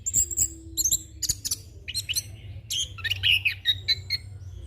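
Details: Rolling, fill-packed song of a young orange-headed thrush used as a training and lure recording: scattered high chirps, then a busy stretch of twittering, warbled notes over a constant low rumble.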